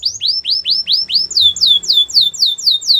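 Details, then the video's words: Belgian canary training song: a clear series of rising then falling whistled notes, evenly repeated about four times per second, shifting into slightly higher sweeping downslurs. "Canary singing for training | Belgian canary song"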